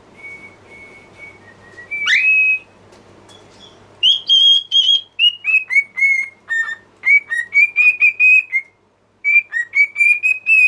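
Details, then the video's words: Pet cockatiel singing: a soft faint whistle, then a sharp rising sweep, followed by a run of clear tonal whistled notes, some falling and some rising, in quick uneven succession with a brief pause near the end. "Adorable Cockatiel's Cute Singing Moments"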